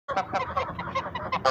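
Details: Chinese geese (domestic swan geese) give a rapid run of harsh, nasal honks, about six in a second and a half, overlapping one another.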